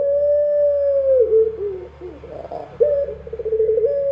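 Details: Dove singing at night: a long, steady, even coo dips into lower wavering notes and a breathy, noisy patch, then resumes at the same level tone. A low hum sits underneath.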